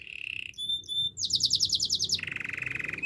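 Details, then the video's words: Canary song used for training: a low rolling trill, a few pure high whistles, a quick run of bright chirps, then a fast even buzzy trill to the end. "Beautiful voice of canary birds"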